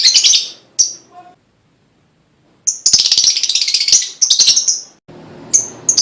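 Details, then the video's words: Lovebird pancingan sound, played to prompt other lovebirds to sing: bursts of shrill, rapid high chattering trills, a silent pause of over a second, then dense chatter again, ending over a hissy background with a few sharp chirps. "full bunyi pancingan love bird"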